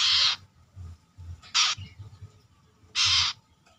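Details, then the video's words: Brown-throated sunbird kept in captivity and being trained for boldness. Three loud, scratchy buzzing bursts arrive about a second or more apart over a soft low rumbling background. "MELATIH MENTAL mental burung korlap (Kolibri kelapa)Manggar...dengan cara ini pasti cepat gacor."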